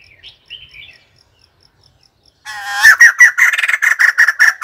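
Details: White-crested laughingthrush: a few faint, thin whistled notes, then a sudden loud outburst of harsh, rhythmic cackling, a rapid run of raspy chattering bursts repeated in quick succession to the end.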